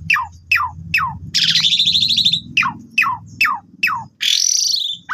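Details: Asian pied starling lure song for training: a series of sharp falling whistles roughly every half second, broken by long harsh buzzy rattles, over a constant low background rumble.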